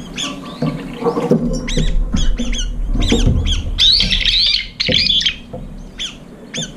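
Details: Brown-eared bulbuls arriving late at a nearly empty food bowl compete and fight over it, giving harsh, screechy squawks with a rising-falling twist in irregular bursts, over low rumbling background noise.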